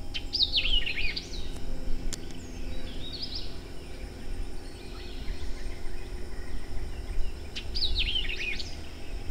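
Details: White-eyed vireo singing: a quick, sharp phrase of high chips and slurred whistles that jumps up and down. A fainter phrase follows midway, and the full phrase repeats about seven seconds later over a steady low rumble.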